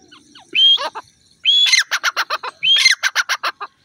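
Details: Francolin calling three times: each phrase opens with a high whistled note, then a quick run of harsh, clipped pulses. Quiet surroundings otherwise.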